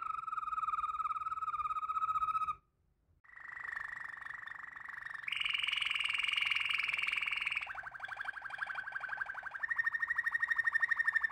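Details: Waterslager canary singing long, even rolled tours, each held on one pitch, with a short pause, then a higher sustained trill, a lower rattling roll and a final steady whistled trill.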